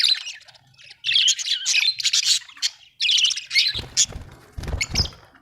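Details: Budgerigar chattering with dense, scratchy high warbles in two long bursts, then a few low thumping knocks near the end.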